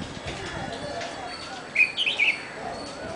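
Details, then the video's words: Red-whiskered bulbul song: one short, bright phrase of quick, liquid, high-pitched bubbling whistled notes lasting about half a second, over steady background hiss. "Song of the Red whiskered Bulbul"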